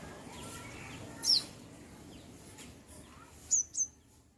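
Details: Bird chirping outdoors: one high descending chirp, then a quick pair of thin high chirps near the end, set against faint low environmental noise.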